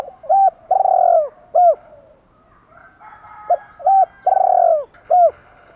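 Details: Spotted dove challenge calling and calling to hens: two phrases of deep cooing, each a short coo, a longer drawn-out coo, and a final brief coo, separated by a pause, against a quiet background.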